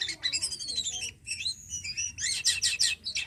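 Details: Caged Javan pied starling with a long falling whistled slur, then twisting clear notes and a loud buzzy rattling burst.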